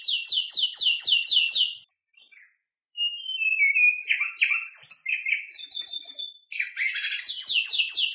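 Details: Oriental magpie-robin song full of harsh filler, used to make other magpie-robins sing. Fast trains of about seven repeated descending buzzy notes frame a middle section of varied whistles and rasps, with two short silences.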